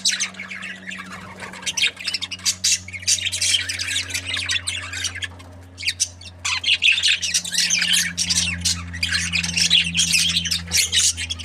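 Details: Happy budgerigars chirping: dense, continuous high warbling chatter of bright chirps and squawks in overlapping bursts, briefly pausing near six seconds, over a steady low electrical hum.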